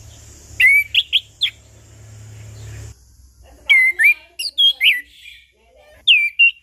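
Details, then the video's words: Chestnut-capped thrush lure song for birds that have gone quiet, morning, noon and evening: sharp whistled phrases in two bursts, separated by a steady hum, with quick chips and slurred notes. "Anis Kembang Ngeplong Pagi Siang Sore - PAncingan Burung Anis Kembang Macet Bunyi"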